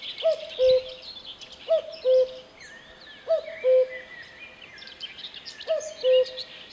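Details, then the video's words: A cuckoo's falling two-note call, a brief higher note dropping to a longer, steady lower one, given four times at even intervals, over a backdrop of thin twittering from other birds. "Voice of Cuckoo"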